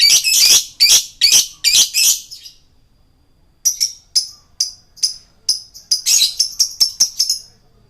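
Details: Male lovebird song used to lure birds: a run of loud, harsh rasping notes, a brief pause, then a quick series of sharp high chirps and chattering squeaks.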